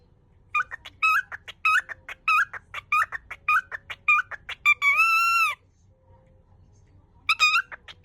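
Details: Pet cockatiel indoors in a small room, trying to say a Japanese welcome phrase to a visitor over and over, too flustered to finish it: rapid chattering syllables in short bursts, then a long harmonic whistle, a pause, and more chatter.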